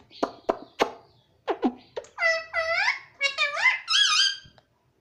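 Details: Young pet rose-ringed parakeet talking, imitating the word "mummy": a few short sharp clicks and squeaks, then a run of voice-like, harmonic syllables with swooping rising and falling pitch, indoors.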